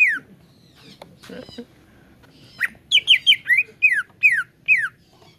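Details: Cucak ijo (green leafbird) lure song for a caged bird: faint opening sounds, then a brisk run of bright rising and falling whistled slurs repeated several times.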